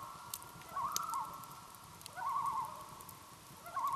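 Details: On Langford Lake, Michigan's Upper Peninsula, common loons give quavering tremolo bursts, two clear phrases and the start of a third, accompanied by sharp crackles from a nearby campfire.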